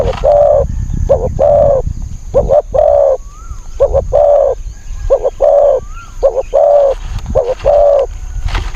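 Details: Spotted dove calling during decoy luring of wild birds, voice small, high and fierce: steady series of two short coos and one long coo, around six phrases, with faint rising whistles from another bird and low background rumble.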